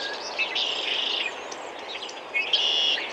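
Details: Male common grackle giving two harsh, buzzy, high squeaks about two seconds apart, over a soft background hiss; red-winged blackbirds may be calling in the background.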